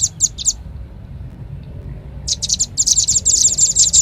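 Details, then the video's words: Velvet-fronted nuthatch lure sound: three quick high chips, a pause of nearly two seconds, then a dense, accelerating run of shrill notes. "Suara pikat burung rambatan paling ampuh | rambatan paruh merah"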